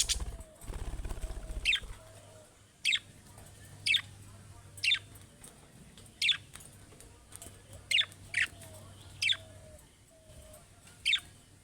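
Budgerigar giving short, sharp, high chirps at uneven intervals of about a second.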